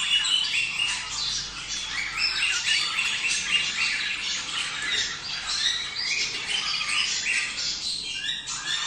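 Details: Budgerigars giving a mating call meant to get pairs breeding: a thick, continuous chorus of rasping squawks, chips and warbled phrases from many birds, evenly loud throughout.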